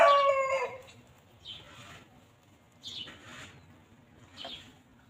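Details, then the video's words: Farm chickens grazing freely on grass; opens with a loud, falling harmonic squawk, followed by three faint, short chirping notes spread over the following seconds. "Chickens Pecking and Clucking"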